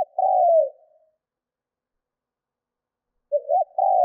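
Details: Trained decoy spotted dove cooing to lure wild doves: the falling tail of one low coo, a long silent gap, then the start of the next phrase with two short notes and a sustained coo.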